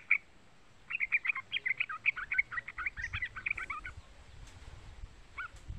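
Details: Young yellow-vented bulbul calls, played to rouse a trucuk bird into song: a fast, bubbling string of high chirps for about three seconds, then a couple of isolated notes.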